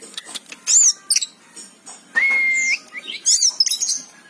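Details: Oriental magpie-robin singing gacor, with sharp high wavering whistles, a long steady mid-pitched whistle and quick chirped flourishes, separated by brief pauses.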